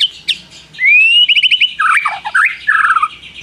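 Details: White-rumped shama singing with prinia imitation: a rising whistle flowing into a fast stuttering trill, followed by lower, harsher warbled notes.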